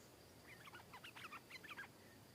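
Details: Stripe-throated bulbul in the wild, responding to a caged bird and fighting it; a short run of rich, slurred, bubbling phrases lasting about a second and a half over quiet background.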